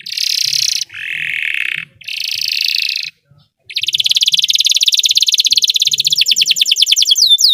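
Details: Belgian canary song meant to teach canaries to sing: long hissing, buzzy sustained tours broken by short pauses, followed by a rapid, even trill that quickens into swooping whistled notes.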